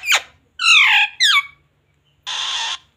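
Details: Pet parrot mimicking Hindi speech like "mummy papa": a sharp downward squeak, two raspy falling voice-like phrases, then a short hissing burst after a pause, recorded indoors.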